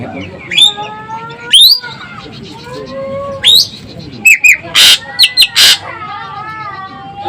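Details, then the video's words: Asian glossy starling from Sumatra giving clear, slurred whistles that rise and fall, with harsh squawks and sharp bursts between them, over a steady low background hum. "EKEK KELING Sumatera Gacor Suara Pedas"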